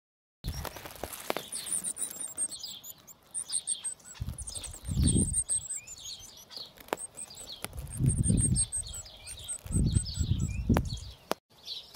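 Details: Three hungry superb fairywren chicks being fed by both hard-working parents give thin, high-pitched begging notes in rapid, uneven bursts, over low rustling and thumps.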